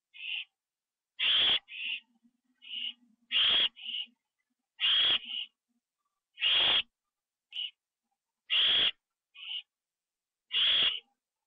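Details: Owls at a nest late at night, October 9, 2011, after a bird was delivered as prey; loud long hissing screeches alternating with shorter softer rasps, overlapping callers, faint low hum at times.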